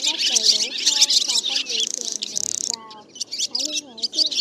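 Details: Black, white-bellied swallows calling the flock back to roost, a lure for net trapping: a dense, high twittering chorus with rapid chirps, over lower curved whistled notes that slide up and down.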